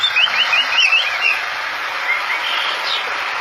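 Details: Tame Javan pied starling singing well, opening with a rapid series of wavering chirped notes repeated about five times in just over a second, then sparse notes over strong broadband hiss.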